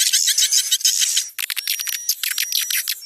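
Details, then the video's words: Swiftlet calls used as a lure at a swiftlet house, with adult calls dominating over juvenile ones: quick bursts of high, scratchy chirps, several per second, plus a long thin whistle in the background. "Suara panggil burung walet terbaik"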